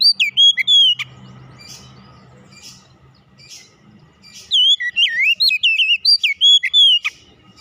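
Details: Oriental magpie-robin pouring out bright, fluid whistled notes with looping up-and-down slurs, an opening burst, then a soft quieter stretch with low hum before a longer run of rapid phrases.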